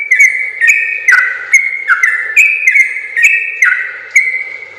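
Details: Long training song of a sooty-headed bulbul, a steady run of clear whistled notes with short sharp onsets, each phrase sliding down a step, repeated about once a second.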